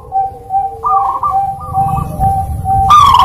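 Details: Zebra dove giving lively lure song to start reluctant singers: steady soft whistled tones with brief rising coos, ending in a loud, harsh rolling coo, over a low background hum.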